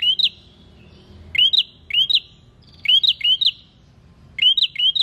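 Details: Prinia song used as a lure recording: quick bursts of sharp, rising chirps, two or three notes at a time, repeated roughly every second over quiet background hiss.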